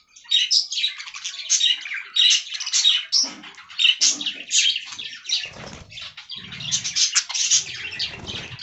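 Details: Budgerigars eating fresh green leaves give a busy mix of bright chirps, squeaky notes and grating warbles from several birds at once, broken by short gaps, with soft low rustles and fluttering.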